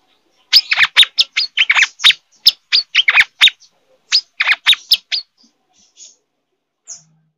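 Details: Brown-throated sunbird in breeding condition giving rapid sharp, high chips, roughly four per second, in two bursts separated by a short gap, then a few isolated faint notes.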